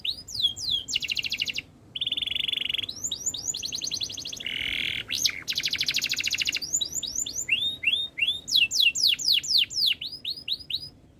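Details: Canary alternates rapid trills, buzzy tones, and quick looping whistles across a long, lively phrase, ending in clusters of repeated sweeping notes.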